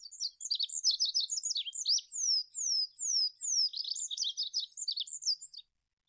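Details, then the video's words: Olive-backed pipit song on a master recording for training cage birds: dense high twitters, four clear descending whistled slurs in even succession, then further rapid chirping before it stops. "SUARA BURUNG APUNG ZAITUN MASTERAN"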